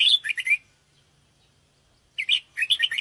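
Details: Lure call of a sooty-headed bulbul for attracting birds: two lively chattering phrases of quick chirps separated by a silent gap of about one and a half seconds.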